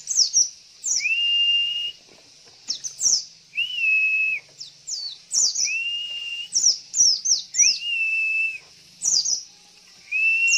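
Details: Female Javan white-eye luring males into song: a steady cycle of level, slightly bowed whistles, five in all, each followed by two or three crisp high chirps sliding downward, over faint hiss.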